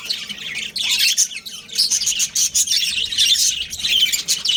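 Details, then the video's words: Two breeding budgies chatter at home in a steady flow of high, warbling, scratchy chirps, rising and falling in loudness with few pauses. "Cute Budgies Chirping Sounds"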